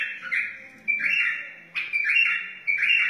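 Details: Wild white-eared bulbul giving its song for teaching young birds and motivating other bulbuls: short mellow bubbling phrases, each opening with a sharp note, repeated roughly every second.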